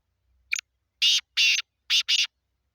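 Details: Black francolin in Sindh, Pakistan: one short rising note, then four loud, harsh, grating notes delivered in two quick pairs over about a second and a half, against a silent background.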